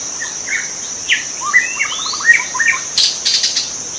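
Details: White-rumped shama in the wild: a melodious string of rising whistles and a fast rattling trill, followed by a few sharp notes among clicking noises. High insect drone in the background.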